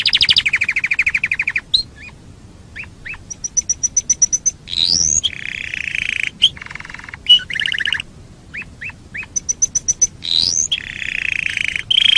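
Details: Canary singing a master recording meant to train other birds. Fast buzzy rolled trills alternate with quick upward-swooping whistles and bursts of high, clipped chip series. Short pauses separate the phrases, and no other sounds are heard.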